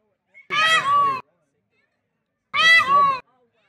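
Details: Indian peafowl roaming at a temple in Taos gives two loud, nasal, wailing calls, each about a second long and two seconds apart, likened to "A-hole", in an otherwise quiet setting.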